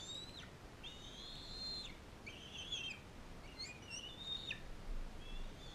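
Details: Bald eagle with a fostered eaglet from Powell River, at a care facility whose non-releasable adult female raises young eagles: long, thin, high whistles held level and dropping sharply at the ends, then quicker broken chirps over steady hiss.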